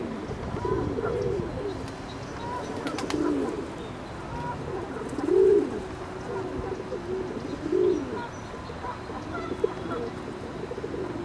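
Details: Ring-necked duck calling: a series of low, rounded, rising-then-falling notes spaced roughly two seconds apart, with fainter similar calls between and continuous low background noise.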